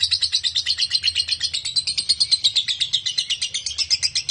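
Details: Long 'konslet' ngekek from a lovebird, used to lure others into joining: a dense, buzzy, high chatter, its notes pouring out rapidly and evenly throughout.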